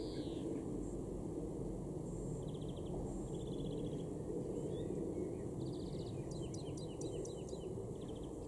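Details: European greenfinch (Chloris chloris) singing in a garden in Weener, East Frisia, northwest Germany, in June 2021: soft, short rattling trills and quick twittering notes over a steady low rumble.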